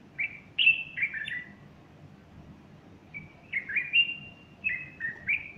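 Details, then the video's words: A bulbul singing on Sunday morning, 30 August 2015, beside a female with fluffed-up feathers. Bright, liquid whistles rise and fall in a quick cluster, a short pause follows, and then another run of slurred notes. "البلبل يغرد صباح الأحد30أغسطس2015"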